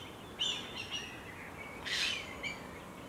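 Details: Adult black kite defending its nest from a jay in the Decima Malafede Natural Reserve. Thin, high whistled notes come in short bursts, some with a faint upper overtone, broken midway by one harsh, rasping screech.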